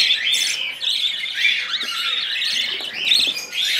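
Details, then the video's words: Hand-reared budgerigar chick begging during feeding, a continuous wavering, raspy squawk with chattering pulses and a few higher squeaky notes, loud throughout. "Alimentando Filhote de Periquito Australiano"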